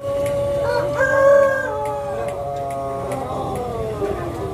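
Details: Pelung roosters at a crowing contest at a durian agritourism site in Karangrau village, Banyumas; several long, drawn-out harmonic crows overlap, one sliding upward then holding steady and slowly falling, with a crowd murmuring behind.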